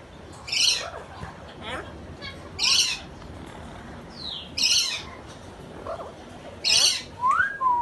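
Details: A pet blue-fronted amazon parrot utters loud, harsh squawks in short bursts, four strong calls roughly two seconds apart, with softer squeaky and rising notes in between against a quiet background.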